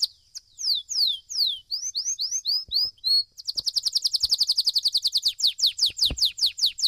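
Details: Competition song of a domestic Belgian canary: a run of descending slurred whistles, then rolling looped phrases, before a dense, very fast trill and a final string of quick falling notes; a soft knock is heard once.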